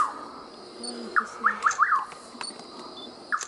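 A Rufous nightjar gives a quick run of four short, clipped whistled notes, with one more note shortly after, over a faint hiss of night insects.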